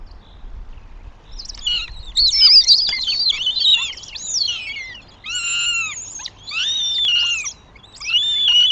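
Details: Northern goshawk at its nest in Tartu, Estonia, on 2 June 2025: a run of high, drawn-out wailing calls with harmonics, some mixed with sharper squeals, repeated several times over quiet rural background.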